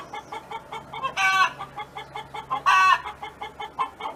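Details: Neighbour's domestic hen singing, quick quiet clucks repeated several times per second, interrupted by two loud, strained, rising squawks, with a low background hum.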